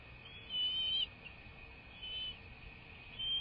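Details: Bald eagles at a nest, filmed by a live cam on the morning of 21 March 2024. Two or three high, thin whistled squeals come in short bursts about a second long, over a steady background hum.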